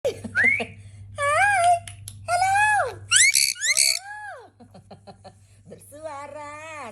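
A sun conure chatters in a series of harsh, rising and falling whistled notes, some speech-like.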